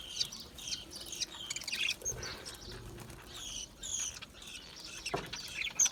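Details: Budgies, small Australian parrots, chattering in a soft, continuous warble of high twittering notes, with occasional louder chirps standing out.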